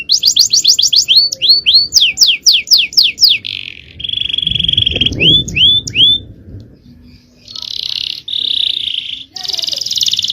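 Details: Male canary singing a long, powerful 'cengkok' style song used as training material: rapid trills of descending whistled notes, steady buzzy tones near the middle, then upward-hooked slurred notes and bright rattling trills, all high-pitched.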